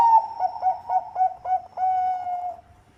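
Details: Zebra dove of the Bangkok type giving a lure song: a fast stuttering series of soft, throaty coos that runs into a drawn-out, gently falling final note.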